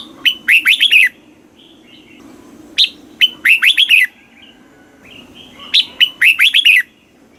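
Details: Caged-bird stimulation song of a red-whiskered bulbul from Thailand, southern master style: three matching phrases, each a rising note followed by a quick rippling run of four or five whistles, repeated roughly every three seconds.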